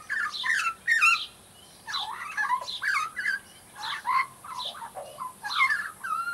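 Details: Australian magpie youngster warming up its song with harsher, squawky warbled bursts mixed with clear whistles, grouped in phrases separated by short silences.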